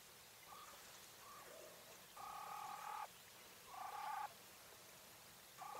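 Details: Female English White Coturnix quail giving loud, harsh, buzzing drawn-out notes lasting up to a second, alternating with softer short buzzes, over low hiss.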